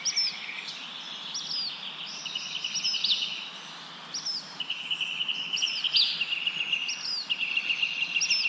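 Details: Birds chirping outdoors in wind through leaves: a continuous high trilling background with loud, sharp down-slurred chirps repeated roughly every second.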